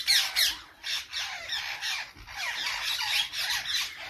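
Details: Parrots uttering rapid, harsh squawks, roughly three or four per second, in a busy scratchy chorus that swells and fades.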